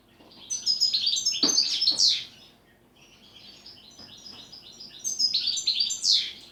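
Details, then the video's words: European goldfinch song in the 'pletivo ziju u ziju stanka' manner: tinkling high twitters and buzzy notes in repeated phrases, one quieter stretch between two louder runs. "Štiglić, Grdelin, češljugar PLETIVO ZIJU U ZIJU STANKA"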